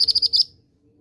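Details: Female mountain bushchat call used to draw song from young males: five rapid, high, sharp chirps in under half a second, then silence.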